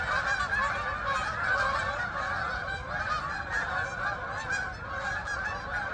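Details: Geese flying over meadows in Farmington, Connecticut, heading to the fields; a dense chorus of overlapping nasal honks from many birds, continuous and irregular throughout, with a low background rumble.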